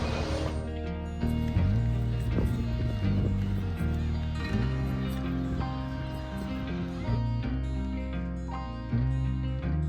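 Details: Instrumental music with steady tones and rhythmic beats plays throughout, with faint speech and no animal calls.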